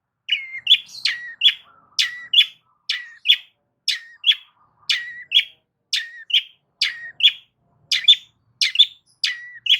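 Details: Loud singing of a Long-tailed shrike meant to draw a response from other shrikes: rapid sharp high notes in steady succession, some with a low sliding whistle before them, about twenty phrases over ten seconds.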